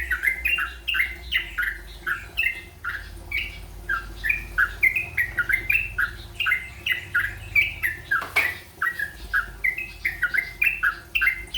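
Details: Yellow-vented bulbul practising rolpen song: a long, rapid series of short whistled, slurred notes in a rolling, repeated rhythm, broken once by a brief sharp click-like noise midway.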